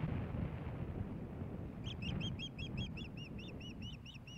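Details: Nesting ospreys in Hellgate Canyon, Missoula, Montana, 15 May 2016, at a fish handover to the female. A steady string of high, arched whistled chirps repeats a few times per second, then slows, against a constant low wind roar.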